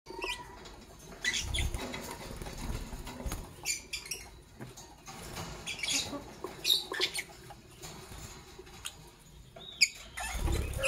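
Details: Fischer's lovebirds, a parblue violet and a pastel green opaline, in the morning give sharp, shrill chirps in scattered bursts every second or two, with wing flutters, cage rustling and a low background rumble.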